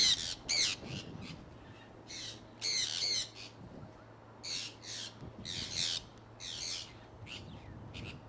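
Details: Conures from an owner's flock flying outdoors in Iowa in early spring 2003; harsh, raspy squawks in short bursts, often doubled, repeated irregularly through the clip over a faint low hum.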